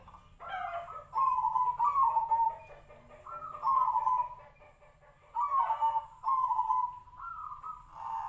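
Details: Perkutut or zebra dove singing the Tejoanom style, its voice likened to the sirtu-sirpo bird: a series of short, rough, rolling coo phrases, some with harsher upper tones, in uneven rhythm.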